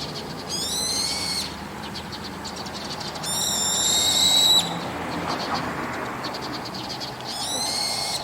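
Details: Evening calls of a brown-eared bulbul on a rooftop: three harsh, high, shrill notes spaced a few seconds apart, each layered with strong overtones and ending in a downward slur, amid steady hiss.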